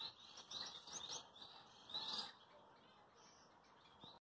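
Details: Gouldian finch pair (red head, purple breast, green back) in courtship dance, ready to breed: high, buzzy chirps and hissing notes in quick bursts for about two seconds, then softer, thin twittering until the end.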